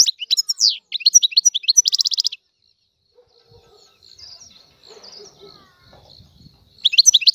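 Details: Algerian European goldfinch, free-flying, singing short bursts: quick twittering notes and a dense buzzy trill, then a long pause with faint background sounds before the twitter starts again.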